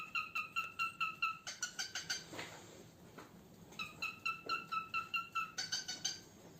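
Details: A pet cockatiel eating boiled egg gives rapid bursts of short, harmonic chirping notes, several per second.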